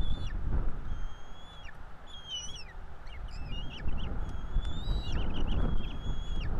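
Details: Two bald eagle chicks, NE26 and NE27, begging at their Florida nest while being fed, 5 April 2022: rapid, uneven series of high, thin, slurred whistles that rise and fall, some overlapping, with low wind-like rumble beneath.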